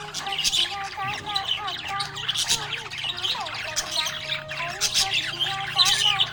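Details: Budgerigar chirping, described as happy, with continuous busy chattering and rapid squeaky twitters, plus a low hum and gliding tonal sounds behind.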